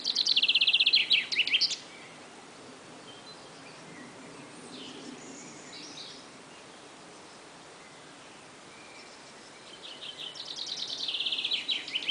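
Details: Songbird said to sound like shooting laser beams sings a dense, rapid trill of high buzzy pulses for almost two seconds, then falls silent amid soft outdoor hiss before a second swelling, rattling laser-like phrase returns.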